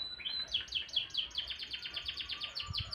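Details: Morning song of a canary: a fast, steady run of sharp downward-sliding high chirps, about five per second, loud and clear against a quiet background.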